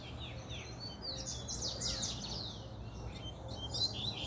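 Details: Puxada song of a fired-up male double-collared seedeater, a dense run of high, rapid down-slurred whistles and twitters peaking mid-clip, then sparser chirps, with constant low background hum.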